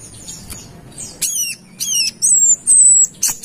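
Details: Brown-throated sunbird of Kalimantan in full song, a lure recording. High thin whistles come in a few bursts: descending stacked notes, then a sustained piercing whistle held about a second, and a final sharp note.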